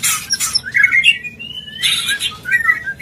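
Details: Mating call of the White-rumped shama, played to bring a bird into breeding condition: a harsh noisy burst, then a long smooth whistled glide, another rasp, and soft falling whistles at the end.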